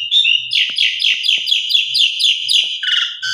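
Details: Javan pied starling song used as a lure to get other birds singing: a fast, dense run of buzzy, chattering notes repeated several times a second, with a lower harsh rattle at the end.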